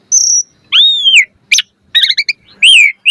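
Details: Asian pied starling singing a varied 'mompa' chatter: a thin high whistle, an arched whistled slur, a sharp rasping click, a stuttering cluster of quick notes and a final curved whistle, loud and uncluttered.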